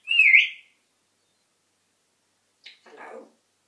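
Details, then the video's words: African grey parrot whistling: one loud rising-then-falling whistle, followed after a pause by a soft click and a brief noisy murmur. "African grey parrot talking and whistling"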